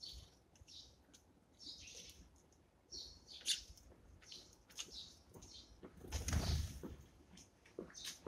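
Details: Eurasian tree sparrows at their morning feeding give short, high chirps in scattered bursts, with a loud rustle or wing-flutter midway and a low background rumble.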